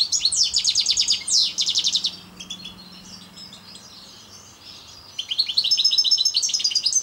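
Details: Parva goldfinch singing; fast twittering, high-pitched phrases of rapid trills and buzzy notes, a quieter pause mid-way, then a bright jangling burst resuming.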